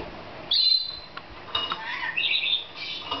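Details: A female lorikeet, playing in a newly discovered playground, gives a string of shrill, scratchy squawks and chattering notes in quick bursts, rising and falling in a playful, laugh-like run over a soft background hiss.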